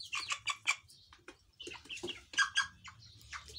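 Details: A young broiler chicken, which the owner hopes is a hen but suspects may be a rooster because of its larger comb and different sound, gives a quick run of high, rough chirping peeps, several notes close together with brief pauses.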